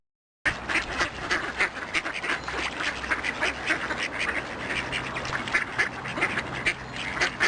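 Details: Busy duck quacking over a constant background hiss. Rapid raspy calls overlap throughout.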